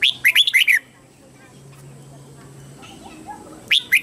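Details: Red-whiskered bulbul lure bird calling wild birds in to fight: a lively phrase of several bouncing, warbled chirps, a long pause with faint background murmur, then the phrase begins again.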